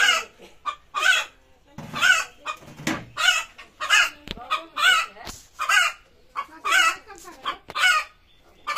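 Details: Hen screaming before laying an egg: loud, harsh squawks repeated roughly once a second, a steady series of rough broadband cries with a few brief clicks and knocks between them.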